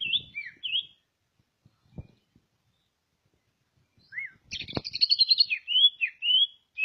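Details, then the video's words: Greater green leafbird from Ngawi, East Java, opening with whistled slurs, pausing amid faint knocks, then bursting into a fast buzzy trill that turns into looping whistled phrases. "cucak ijo asli ngawi jatim"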